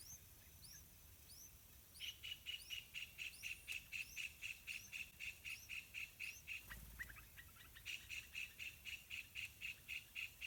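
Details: Two hungry yellow-vented bulbul chicks being fed by their parents in a pineapple garden: rapid, even, high-pitched chirps, about four a second, run almost continuously, broken once by a short rustle, with faint thin calls above.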